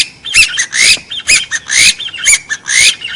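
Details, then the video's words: Noise-filtered partridge calls used as a lure for trapping forest birds: loud harsh squawks, each rising into a whistled sweep, repeated about once a second. "tiếng kêu gà so"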